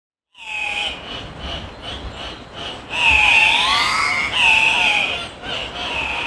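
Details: Andean cock-of-the-rock, a South American bird, giving loud, harsh, nasal squawks with rising and falling tones. Shorter pulsed notes come first, then longer wavering screeches swell in the middle before easing off.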